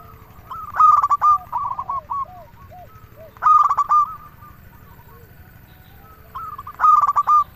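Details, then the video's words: Lure song of a local zebra dove for prompting other doves to sing: three loud bursts of rapid clipped coos, separated by softer descending coos and low rounded notes. "Perkutut lokal gacor suara paling ampuh untuk pancingan burung perkutut agar bunyi"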